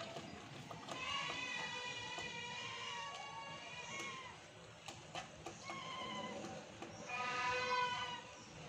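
A young rose-ringed parakeet gives long, raspy, bleating calls in several drawn-out bursts, with a few faint clicks and knocks between them.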